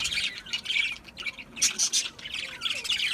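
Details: Chirping budgerigars give bursts of harsh, scratchy squawks mixed with short tweets, rising and falling in loudness with brief lulls between outbursts.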